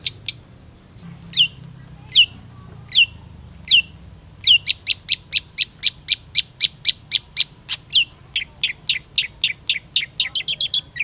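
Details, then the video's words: Long-tailed shrike singing actively: sharp, downslurred whistles, spaced at first, then running into a quick, steady series of about twenty crisp notes. "PENTET GACOR"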